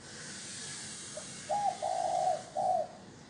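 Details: Spotted dove decoy coo used to draw in wild doves: a faint soft note, then a single phrase of three mellow, low coos, the middle one longest, against a light background hiss.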